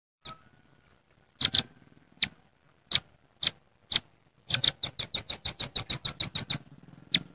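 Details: Velvet-fronted nuthatch in nature, calling rivals in jontrot style: spaced single high chips at first, then a quickening rattle of about twelve sharp notes and a final lone chip.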